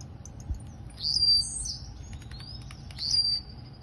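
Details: Blue-black grassquit from Campo Grande, Rio de Janeiro, in its Campainha song style, delivering two quick, high-pitched buzzy notes close together, each a sharp upswept zip, against a soft hum.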